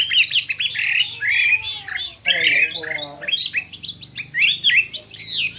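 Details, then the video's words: Contest-singing Chinese hwamei with many voices: rich, fast whistled notes swooping up and down, a few harsher squawky phrases mid-way, and a steady low background hum. "Hoạ Mi Hót Đấu Nhiều Giọng"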